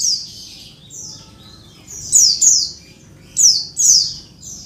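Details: Female Oriental white-eye calls meant to make males sing: a softer opening, then loud high slurred chips in doubled bursts near the end, all thin and high-pitched, with low-level background hum.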